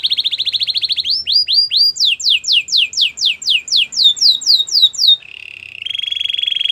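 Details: Belgian canary singing, intended to get a silent canary singing: a fast trill, then rhythmic downward-slurred whistles about four per second, ending in a low, steady buzzy roll.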